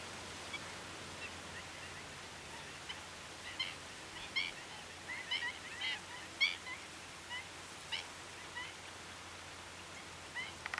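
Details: Common shelducks at the Tancat de Milia reserve beside the Albufera lagoon in April, a flock of 12 to 45 birds coming in to feed while males display; scattered short honking and chattering calls in brief bursts over faint background hiss.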